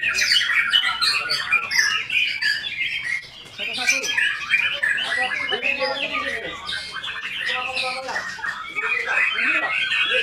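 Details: Continuous White-rumped shama song of fast, varied whistles, chips and buzzy trills, with a brief lull near the third second and human voices faintly beneath.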